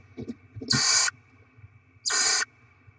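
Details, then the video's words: Barn owl chicks during rodent deliveries and feeding at the nest, 7 February 2024: two harsh, broadband hissing screeches about half a second each, spaced over a second apart, with faint low rumble and a steady electrical hum. "Barn Owl Kangarobin - Płomykówki Syd & Mel - Dostawy gryzoni - Karmienie maluchów"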